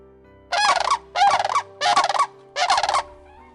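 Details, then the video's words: Common crane giving four loud, rolling, trumpeting calls, each about half a second long, spaced evenly about once a second over a faint low hum. "Це голос журавля. Це"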